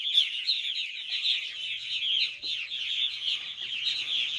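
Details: Purple martin young begging at dusk as both parents feed them before bedtime; a dense, continuous chorus of overlapping high chirps and chattering notes, rising and falling in loudness.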